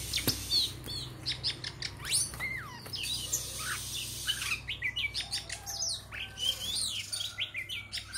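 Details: Oriental magpie-robin giving a lively song of quick whistled notes, upslurs and downslurs, and sharp high chirps, delivered in bursts with short pauses, over a faint low hum.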